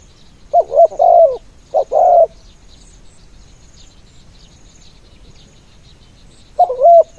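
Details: A decoy spotted dove on the ground calls to draw in other doves in the throwing cooing style. Two quick coo phrases come near the start, then a long quiet gap, then one more phrase at the end.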